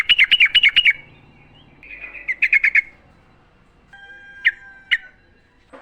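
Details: Wild sooty-headed bulbul song recorded for training caged birds: a quick bubbly run of notes, a buzzy stretch with a second short burst, then two isolated sharp chirps over a faint tone.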